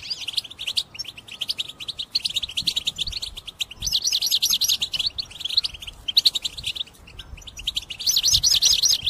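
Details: Intense song of a caged European goldfinch meant for trapping: jangling twitter runs with several rolling, wavering trill phrases, loud bursts alternating with quieter stretches.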